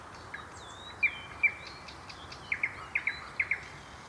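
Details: Common nightingale at night in Mytishchi near the MKAD, Moscow region, filmed on a Sony DCR-DVD508E: a high sliding whistle, then paired sharp chipping notes repeated in quick doublets, against background hiss.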